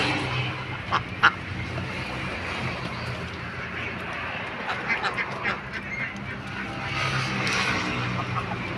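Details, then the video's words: Several ducks quacking in harsh, nasal bursts, calling at once in scattered clusters over a steady background hubbub. "suara bebek Kwek Kwek Kwek | funny ducks sound"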